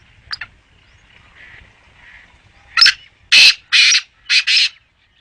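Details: Faint short notes and soft buzzy sounds lead into a black francolin's loud, grating call of five harsh, scratchy notes, the closing two paired tightly together.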